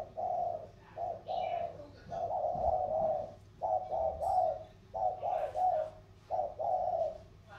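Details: Spotted doves cooing in the 'thổ' style, matched in a contest between a bird from the Sóc Trăng delta lowlands and one from the Cam Ranh mountains; low hollow coo phrases repeated in uneven bursts, faint high chirps above.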